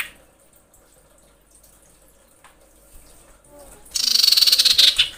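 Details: Female common iora in breeding condition calling males as a lure: after a long quiet stretch, a loud, harsh buzzing chatter of rapid even pulses lasting about a second.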